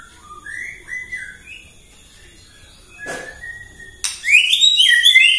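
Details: White-rumped shama morning lure song intended to agitate other shamas: soft scattered whistles at first, one brief rasping note, then a loud, rich burst of rapid rising whistled notes near the end.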